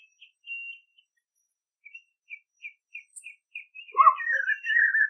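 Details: Caatinga scene with a white-naped xenopsaris: a series of soft, evenly spaced high chip notes, then a louder jumbled warbling whistle at the end.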